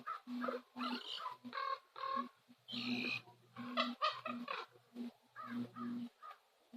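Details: At sunset on Nose Hill, Calgary, Common ravens give a rapid run of harsh, throaty croaks and gurgling notes, a dozen or more in under seven seconds, with a faint low hum behind.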